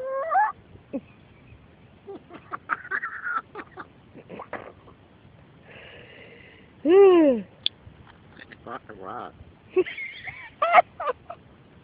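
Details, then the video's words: A pet grey parrot chatters in a jumble of whistles, squeaks and speech-like phrases, with a loud descending moo-like call imitating cows near the middle and laugh-like bursts. "African Grey Parrot talking and mooing at cows, laughing"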